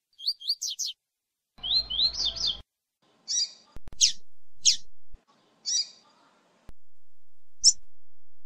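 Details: Double-collared seedeater song of the 'tui tui' style, played to warm up a female; quick high chirps, a harsh twittering burst, then spaced single sharp notes with brief pauses and faint background noise.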